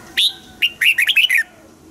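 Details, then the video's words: Red-whiskered bulbul, a song used to excite caged birds: one loud rising whistle, then a fast, chattering string of about six musical, slurred notes ending in a falling tone. "เสียงนกกรงหัวจุก ขวัญใจสายเบิ้ลอาชีพ ฟังแล้วคึกเหมือนเดิม นกไม่คึกห้ามฟัง"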